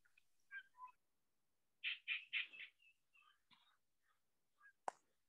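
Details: Gray Catbird heard in June 2021 sings a jumbled run of short squeaky, mewing and chattering phrases, varied and unevenly spaced, with one sharp click near the end.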